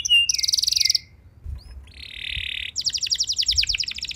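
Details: Canary song used as a lure to prompt other canaries to sing: a high buzzy trill and a whistled note, a pause, then a steady buzz and a rapid rattling trill of quick repeated notes.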